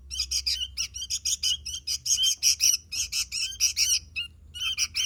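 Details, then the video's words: A sooty-headed bulbul in full, vigorous song, pouring out rapid, squawky chirps in short groups with a steady low background hum. "Suara Burung Kutilang Gacor"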